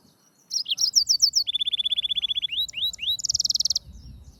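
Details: Varied song of the yellow-fronted canary: quick high chirps, a long steady trill of evenly spaced notes, several upswept whistles, then a dense, buzzy high trill.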